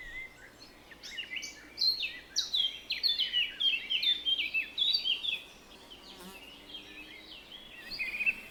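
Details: Birds chirping: quick, high, twittering notes and short whistled phrases come in a lively burst for several seconds, fade to near quiet, then a last few chirps return. A faint steady background hiss runs throughout.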